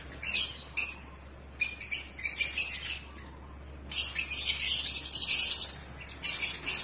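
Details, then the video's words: Several bursts of shrill, rasping chatter from pet African lovebirds in breeding season, each lasting about a second with brief gaps, a longer busy run in the second half, and a constant low hum underneath. "Lovebirds Behavior Breeding Season"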